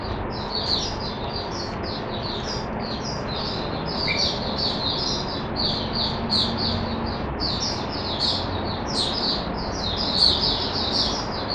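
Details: An Oriental white-eye kept caged sings a continuous high twittering stream of quick slurred notes for many seconds, with low background hum underneath.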